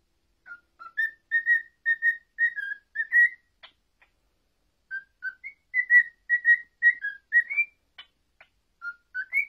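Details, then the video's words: Male cockatiel Chapi, after a year of learning, whistles the tune "If You're Happy and You Know It" for a female: clear mid-pitched notes about two per second in short melodic phrases, brief pause midway, a few soft clicks. "オカメインコのチャピが歌う！「幸せなら手をたたこう」あいづちもやっちゃいます！ Cockatiel singing"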